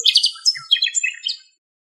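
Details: A common nightingale in Greece, recorded from a long distance with passing-airplane noise cleaned up in editing, gives a quick, rich phrase of rapid chirps and twittering notes jumping between high and mid pitch, then silence.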